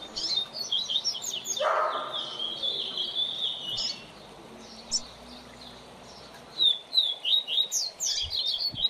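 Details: Double-collared seedeater (coleiro) singing as a tutor for song learning: rapid high chirps and warbles, broken by a brief broad noisy burst, a quiet pause, then more quick sharp notes.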